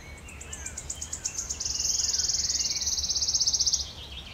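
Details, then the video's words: Wood warbler (Phylloscopus sibilatrix) singing in Djurgården, Stockholm, on 2021-06-05: high, separate ticking notes speed up into a dry, shivering trill of about two seconds, sliding slightly lower at the end, over a faint low hum. "Wood warbler (Grönsångare) singing"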